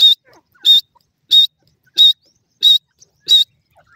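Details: Breeding-season grey francolin calling at a bird breeding farm: six loud, strident notes repeated steadily about every 0.65 seconds, with short, quiet gaps between them.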